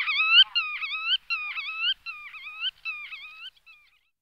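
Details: Black-tailed godwit giving a quick series of nasal, upward-bending calls. They repeat rapidly, then fade and stop after about three and a half seconds.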